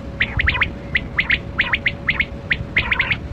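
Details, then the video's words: Quail known locally as kali kirak batera, calling in a hunting setting: quick high chirps in clipped pairs and triplets, repeated steadily, over a constant low hum. "Sound Of Kali Kirak Quail Batera"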